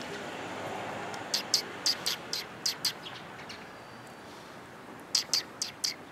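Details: Sparrows gather to be fed on 4 December 2021, giving a series of crisp, high chirps in two bursts separated by a quiet gap, with light background rustle.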